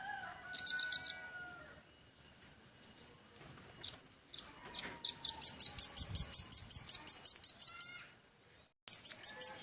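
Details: Singing velvet-fronted nuthatch in a songbird training recording: a brief burst of five high notes, a pause, scattered chips, then a long rapid trill of about fifteen sharp notes, with faint lower whistles from another bird.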